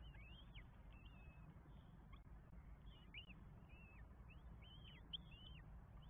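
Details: Nest of Northern goshawk in Estonia, 24 May 2022, four chicks being fed; fairly quiet, thin curved squeals and hooked whistles come every half second or so over strong low rumble.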